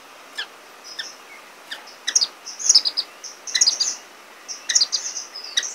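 Orange-cheeked waxbill giving thin, high, squeaky chips and short twittering bursts, several notes every second or so against a quiet background.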